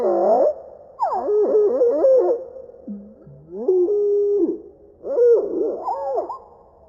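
Bobolink song slowed far down: three bursts of bubbling, gliding notes, now deep and eerie like a theremin, with short pauses between.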